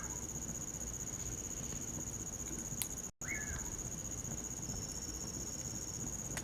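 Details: Common pauraque singing at night in winter: one slurred whistle rising sharply and then falling, over a steady high cricket tone and the crackle of a campfire, after a brief dropout.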